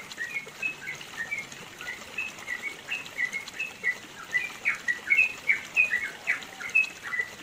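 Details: Yellow-vented bulbul giving a long, rapid master song for training other songbirds, recorded in the mountains of East Java, Indonesia. Quick chirpy whistled notes run in bursts with many short phrases that grow louder toward the middle, over a soft hiss.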